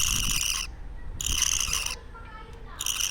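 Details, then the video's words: Two-week-old parakeet chick giving three short hoarse, scratchy rasps separated by brief quiet gaps. "Sounds baby parakeets make"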